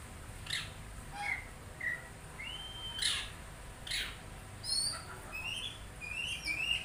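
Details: Oriental magpie-robin song: separate whistled notes and short slurred phrases, including a long rising whistle, with sharp high chips between them and a faint steady background hiss.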